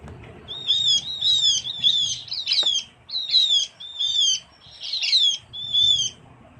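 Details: Small Javan forest bird, the Javan grey-throated white-eye, in lure recording: about eight clusters of high, twittering, down-curving notes in quick irregular succession, with a faint low hum underneath.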